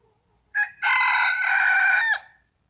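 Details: Rooster crowing: a short opening note, then one long, loud, harmonically rich crow held steady for over a second and ending in a brief falling tail; no other sounds.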